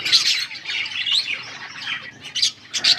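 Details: Yellow budgerigars recorded on August 20, 2024, giving a dense stream of bright, high chirps and warbled twitters, overlapping busily and rising into sharper squeaky bursts near the end.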